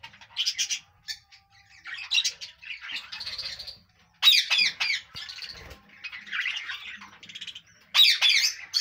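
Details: Budgies chirping in separate bursts about a second apart. Each burst mixes sharp, clicky squawks with buzzy warbled notes, high-pitched and uneven in rhythm, with short silences between.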